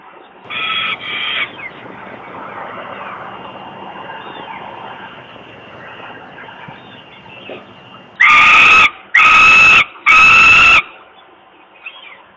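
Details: Hungry falcon chick at a nest site in Włocławek, Poland, in May 2022, waiting as its father brings food. Two short, moderate cries are followed by a long, quieter stretch of faint noise, then three loud, rasping wails near the end.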